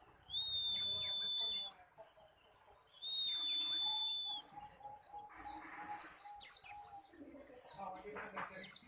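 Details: White-eye in full song: repeated clusters of high, tumbling, twittering notes with a drawn-out thin whistle, and a soft lower piping series in the middle.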